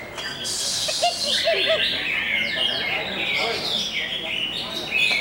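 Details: Greater green leafbird pouring out a continuous, varied song of sharp chirps, buzzy bursts and sliding whistles, with softer lower whistled phrases repeated beneath.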